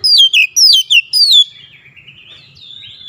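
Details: Oriental magpie-robin singing insistently through its repertoire: five loud clear whistles falling in pitch in quick succession, followed by a soft, thin, wavering warble.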